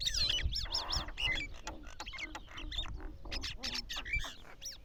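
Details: Several mynas chatter with quick bursts of squeaky whistles, harsh rasping notes and sharp clicks, delivered in rapid irregular runs with brief pauses.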